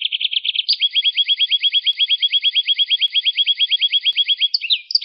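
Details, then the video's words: Rolling canary song in gacor style for tutoring songbirds: a few bright notes, then a long steady trill of rapid downward-sweeping chirps repeated evenly, ending in a sharp high flourish. "Suara Kenari GACOR"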